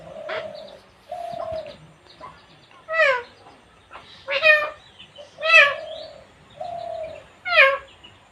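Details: Talking pet parrot from India, female, chattering a series of varied utterances: flat sustained tones alternating with rising and falling harmonic syllables, some clipped and some drawn out, spread across the whole stretch with short pauses.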